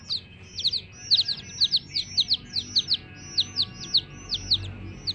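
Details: Coloured chicks kept with a hen give bright, downward-sweeping cheeps in a fairly even series, some in quick pairs, over quiet background hum.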